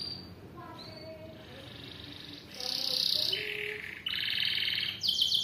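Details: A long masteran recording of canary song: soft low whistled notes at first, then louder buzzy rattling tours, each held about a second, jumping in pitch between sections.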